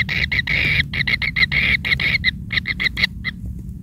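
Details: Baby kingfisher fed large rats by its mother, calling with drawn-out and clipped harsh squawking notes in an uneven series, fading toward the end over low background rumble.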